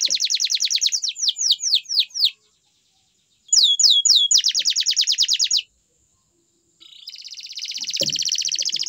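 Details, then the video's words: Lively canary song of high, fast rolling trills alternating with series of sharp downward-sweeping whistled notes, broken by brief silences, closing with a dense buzzy high trill. "Best Canary Song"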